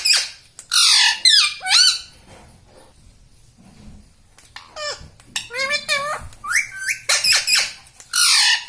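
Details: Pet parrot talking, saying words such as mummy, papa and radhe: harsh, raspy, speech-like bursts rich in high tones, several quick phrases at the start, a pause, then a longer run of strained, rising and falling syllables.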